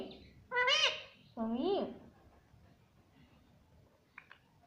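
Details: Pet talking parrot saying mummy: two loud, rising-and-falling harmonic syllables in the first two seconds, then quiet room noise with a couple of faint clicks near the end.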